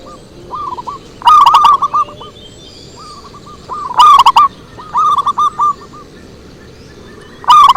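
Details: Lure recording of a zebra dove: quick staccato cooing rolls alternate with slower runs of bent, whistled coo notes, the pattern returning roughly every three seconds. Loud passages sound clipped and harsh over a hissy background.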